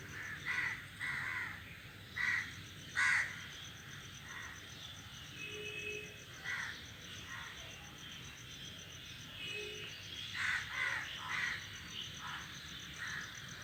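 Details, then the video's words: A flock of crows sits in a tree making noise: harsh, hoarse caws come in scattered bursts, several in quick succession near the start and again toward the end, over a steady high insect-like whine. "A flock of crows sitting on the tree is making noise"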